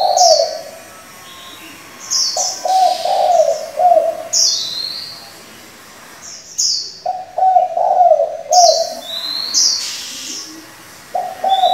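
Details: Varied coos of a spotted dove decoy, kept to stir up wild doves and train young doves: several low, throaty, broken cooing phrases with short pauses between them, mixed with bright high chirps from small birds.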